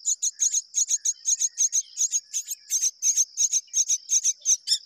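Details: Myna pair rearing their young together; rapid harsh rasping bursts repeated about three times a second, steady and loud, over a continuous high thin whine.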